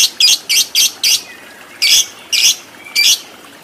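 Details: Lovebird in a training recording for the long ngekek chatter, giving harsh, scratchy squawks: a quick run of five, then three more spaced notes with short pauses between them.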